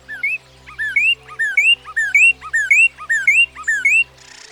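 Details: Northern Cardinal singing a quick series of clear, slurred whistled phrases, each dipping then sweeping upward, about seven repeated within four seconds, over soft steady background music tones, ending with a short burst of noise.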